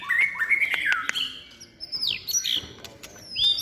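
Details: Caged white-rumped shama in its third season, trained for contest singing, giving bright looping whistles, then a high sliding note and a sharp upward whistle, with faint clicks in the background.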